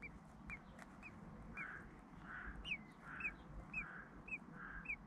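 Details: Common blackbirds in the UK at a nest where both parents feed chicks hatched three to four days earlier; short rising high notes repeat about twice a second, paired with soft breathy mid-pitched calls, over low background rumble.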